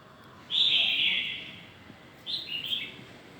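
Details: An old forest red-whiskered bulbul gives two bright, warbling song phrases, a longer one then a shorter, bubbly one, over faint background hiss.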